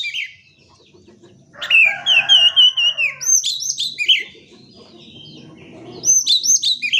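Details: Lure song of an oriental magpie-robin meant to prompt silent birds to start singing: a long rich warble with sustained whistles, then rapid repeated hooked high notes in two bursts, with a quiet low background hum.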